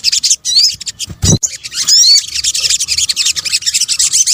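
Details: A sunbird (sogok ontong) chatters in a lure mix: rapid, very high chips pour out continuously. A few rising whistled slides stand out, and one low thump sounds early.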